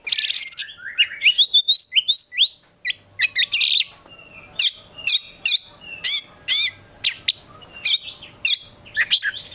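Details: Kept Oriental magpie-robin, a prospective contest bird, in lively continuous song. Quick whistled sweeps and scratchy notes open the run, then crisp sharp chips repeat at a steady rhythm about twice per second.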